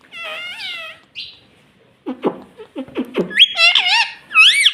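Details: Talking pet rose-ringed parakeet saying "mummy": a drawn-out nasal, voice-like tone, then a run of low, throaty clucking syllables rising into high, strained whistled squeals.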